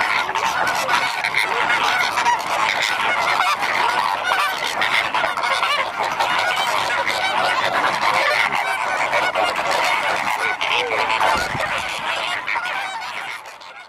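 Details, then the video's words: Natural flamingo flock chorus, birds living in a group: many overlapping nasal honking calls forming a steady, busy din that fades slightly at the end. "suara natural burung flamingo"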